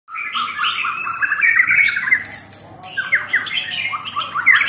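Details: White-rumped shama voice: a dense, continuous run of overlapping warbled and slurred notes, bright and rapid, with short rising and falling phrases throughout.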